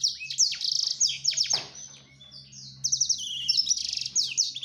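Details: Male black-throated canary singing while courting a female: rapid high trills and chirps, a short pause near the middle, then renewed fast twittering phrases, with a faint low hum beneath.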